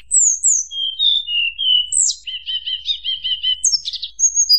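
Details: Tledekan gunung in flute-like song that stirs up rivals: high falling whistles, a wavering mid-pitched passage, a rapid series of about ten repeated double notes, and closing high trills.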